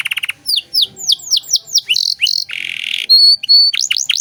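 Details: Tutor song from a gacor canary in cengkok mewah style: buzzy pulses, a string of evenly spaced downslurred notes, a harsh buzz, one pure sustained whistle, then quick rising sweeps.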